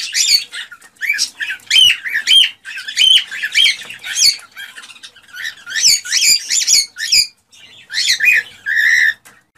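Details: Cockatiel song used to get birds breeding: a long, lively stream of sharp, upswept whistled notes in quick bursts, with brief pauses, ending in a buzzy, harsher phrase.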